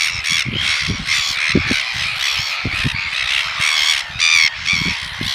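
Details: A courting pair of red-billed gulls (silver gull) at Pukekura / Taiaroa Head, Otago Peninsula, give harsh, grating squawks and begging cries in quick overlapping bursts during courtship feeding; one taps the other's bill to induce regurgitation of krill.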